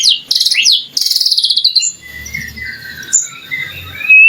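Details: White-rumped shama song as a provocation for other shamas to answer; fast high trilled bursts, then softer descending whistles over a faint low hum, ending with a sharp loud note.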